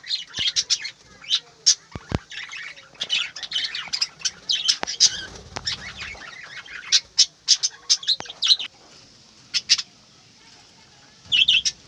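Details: Morning chorus of budgerigars kept in an aviary, mixing high scratchy chirps and short squawks from many birds, with bouts of wing flapping and a quieter stretch before the chatter resumes.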